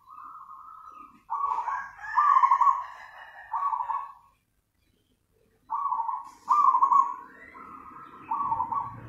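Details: Zebra dove (perkutut) giving busy nganyer-style song: groups of purring, trilled coos broken by a silent gap of about one and a half seconds, over low rumbling background noise toward the end.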